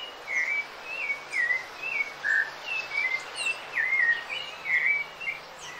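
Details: Rufous-bellied thrush (sabiá-laranjeira) singing steadily, used for training birds: a continuous run of melodious whistled phrases, rising and falling slurs in quick succession, about two per second, with faint hiss behind.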